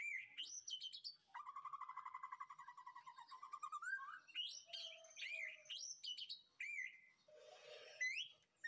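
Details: Training master song from a white-rumped shama in a backyard breeding aviary, afternoon: high whistles, then a long lower, fast pulsing trill, followed by varied sliding whistled phrases and a short burst of scratchy noise.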